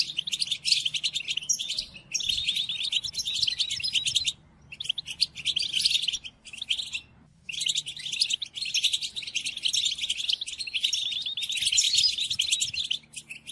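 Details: European goldfinch song played to captive goldfinches for song training: a dense, rapid twittering of tinkling and buzzy notes in long bursts separated by brief pauses, with a faint low hum underneath.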